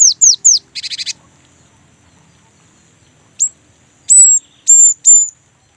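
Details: Young great tit singing a rolling song as a lure for other great tits: three high falling whistles, a short dry buzzy rattle, then level high whistled notes spaced about half a second apart.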